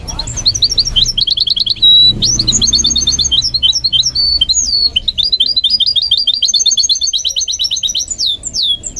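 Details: Singing goldfinch mule being trained: clipped repeated chirps, a short held whistle, then a long, varied warble of high trills, twitters and sliding notes.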